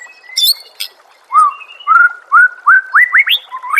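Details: White-rumped shama master song for training other shamas to sing: a few sharp chips, then a rapid series of clear whistled notes, each rising and stepping higher, about seven in under three seconds.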